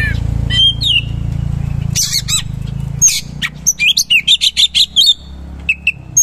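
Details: Oriental magpie-robin singing with coarse material, shooting rolls and rich fillers. A few whistles and harsh bursts over a steady low hum lead into a fast run of evenly spaced chirps and twisting whistled notes.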